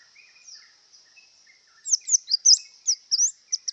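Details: White-eye in breeding condition. Faint, soft high twitters are followed by a louder string of sharp, quick, slurred chirps in the second half. Notes come about three per second over a faint steady hiss.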